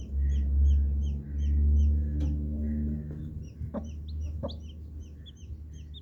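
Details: Coloured baby chicks in a group, peeping steadily: high, short, downward-sliding notes at a brisk uneven pace throughout, with a couple of sharp clicks midway and a loud low hum underneath.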